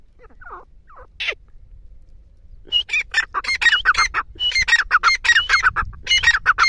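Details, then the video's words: Grey francolin: a few scattered sliding notes at first, then after a short pause a rapid series of loud, harsh repeated notes that continues to the end. "teetar sound | teetar ke awaz"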